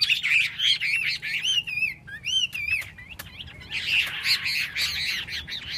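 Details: Chinese hwamei, shown spreading its wings, singing loud, clear whistled phrases with sliding and looping notes, rapid varied runs broken by brief pauses, some sharp clicks in between.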